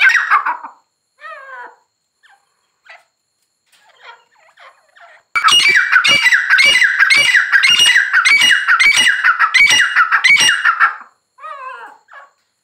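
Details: Quiet, scattered wavering notes from a grey francolin build into a loud, sustained series of harsh ringing phrases lasting about six seconds, followed by softer notes.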